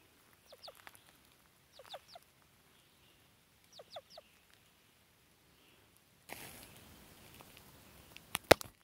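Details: A bold, overly territorial "tame" Ruffed Grouse follows a person along a gravel road in rain, jumping at them: three quick bursts of sharp, down-slurred squeaky notes, roughly every two seconds, then rustling and a few clicks.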